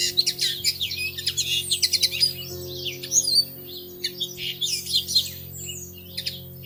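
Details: Nesting pair of Bushtits in a plum tree in early May, heard from a treetop-level window: busy high-pitched chittering with quick sharp ticks and brief trills, some clustered, some spaced. A faint steady hum lies beneath.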